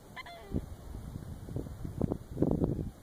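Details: Black-necked swans with other birds at Cáhuil, 13 km south of Pichilemu, sixth region, Chile, 2014; short nasal honking calls in quick uneven bursts over a low, steady surf-like rumble.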